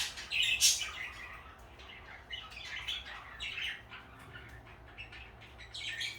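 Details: Pet parakeet pair, blue and light yellow: a loud bright chirp opens, then softer, scattered twitters and tweets continue at an uneven pace.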